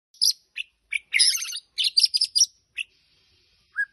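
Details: White-rumped shama singing in bursts: high, sharp chirps and rapid clustered trills, with brief pauses between phrases and a lower slurred whistle at the end.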